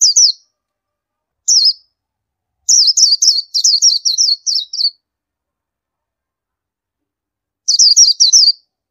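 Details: Indian white-eye uttering single high chirps, then a longer rapid series of wavering, slurred notes, a long pause and a final short cluster of chirps.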